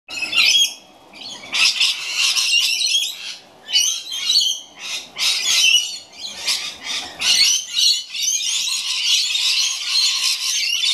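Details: Rainbow lorikeets in a flock giving harsh, screechy squawks and chattering shrieks in overlapping bursts, nearly continuous throughout.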